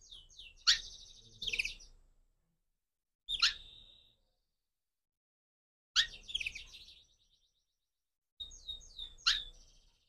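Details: Crossbred canary singing in the morning: short bursts of buzzy, trilled high notes, each burst set off by sharp clicks and followed by about two seconds of silence.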